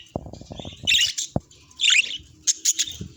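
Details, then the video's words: Happy pet budgerigar giving two harsh, squeaky chirp bursts and short high notes, mixed with a series of low clicking taps. "Happy Budgie Vibes Chirpy Sounds"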